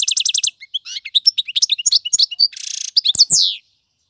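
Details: Tutoring song from a male European goldfinch: a fast rattling trill, then varied liquid twitters and chirps, a harsh buzzy rasp midway, and a few swooping notes before falling silent.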